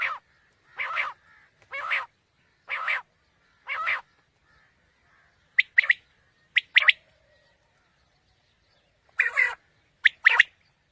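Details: Quail call used to lure birds for morning hunting: broad, rasping notes about once a second, then scattered sharp clipped notes in short groups after a pause, against a silent background.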